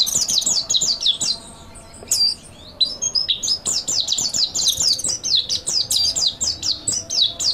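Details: Mountain white-eye master song for training birds: a dense, rapid chatter of very high, sharp chirps in quick bursts, with a brief quieter gap near the middle, then continuous twittering to the end.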